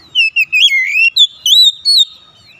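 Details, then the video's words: Oriental magpie-robin song meant to coax another bird into singing, a string of high sliding whistles, dipping then rising, in short bursts. "tera memancing Kacer bahan susah bunyi langsung gacor"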